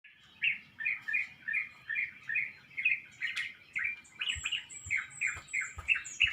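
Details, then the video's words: Birds chirping in a pomelo tree beside a house at about 5 a.m., before sunrise, during the dawn chorus: a steady run of short bright chirps, roughly three per second, with a thinner high twittering joining in toward the end. "Birds Dawn Chorus/Birds chirping"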